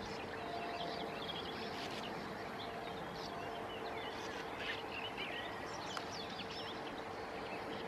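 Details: Sand martin (Riparia riparia) colony on the Bečva river, Czech Republic, 3 June 2018: scattered dry, scratchy twittering from several birds, partly buried in a steady rushing noise and low hum.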